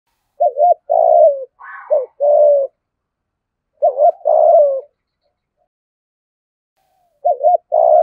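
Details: Spotted dove decoy calling thúc, gù and gáy in the 'giọng thổ' style. Rapid paired coo notes lead into long falling croons, with a brief higher rasp between phrases and a fresh phrase starting at the end.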